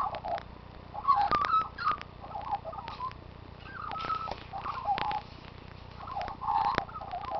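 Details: A magpie that was rescued and released, and returns each day to sing, gives a soft, rambling warble of fluty, gurgling mid-pitched notes in short bursts, mixed with sharp clicks and taps.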